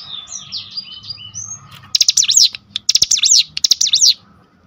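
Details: Cinereous tit song played as a lure meant to make other cinereous tits burst into song: soft slurred whistles for two seconds, then loud bursts of rapid, sharp, zigzagging high notes in quick phrases, over a faint steady hum.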